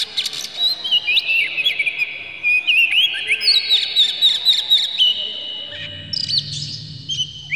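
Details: Oriental magpie-robin song used to provoke a bird into singing: a rapid chain of clear whistled and slurred notes, about four per second, with sharp chips over a steady high tone, then brighter rising whistles near the end.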